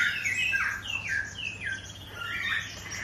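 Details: Captive long-tailed white-rumped shama at a breeding farm in Bogor in the morning, singing loud whistled phrases of sharply falling, slurred notes, one after another about every half second, with faint chirps of other birds behind.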